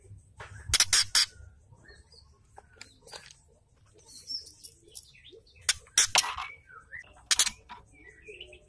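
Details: A female white-rumped shama rattles in ketrekan style, a call used to excite males into song. Several clusters of harsh, explosive rasping bursts are scattered among quieter chips and short whistles.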